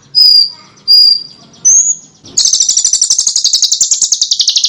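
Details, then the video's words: Small bird song used as a master for teaching competition cage birds: three separate thin, clear high whistles, then a long, fast, buzzy high trill that slowly drifts lower. "Suara BURUNG KECIL !!! MASTERAN BURUNG KECIL TEMBAKAN TAJAM DAN SUPER PEDAS"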